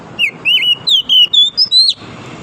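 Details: Forest-dwelling wild oriental magpie-robin, morning song: seven or eight clear whistled phrases in two seconds, starting low and dipping, climbing step by step to higher notes, over faint background noise.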